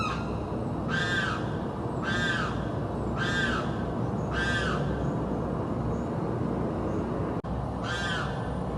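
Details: Constantly screaming bird in South Florida, calling day and night: five harsh, harmonic, arched screams about once per second, a brief click, then one more scream after a gap, over steady low rumble.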